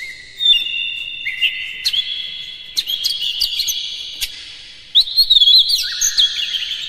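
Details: Oriental magpie-robin song meant to goad rival birds into singing: long held whistles stepping between pitches, broken by sharp ticks and a quick warbled flourish near the end.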